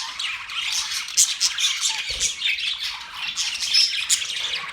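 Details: Several budgerigars recorded October 11, 2023, chattering nonstop in a dense, scratchy chorus of high chirps and squawks, with overlapping voices and a few louder squawk peaks around the middle.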